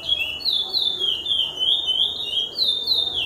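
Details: A male-line bred chestnut-bellied seed finch (offspring of a named pair) sings a rich, flowing run of whistled notes, sliding up and down in smooth waves without pause. Nothing else is clearly heard.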